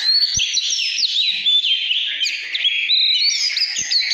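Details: Oriental magpie-robin performs 'căn lửa' style song, a smooth flow of clear high whistles and quick down-slurs with two short knocks in the background.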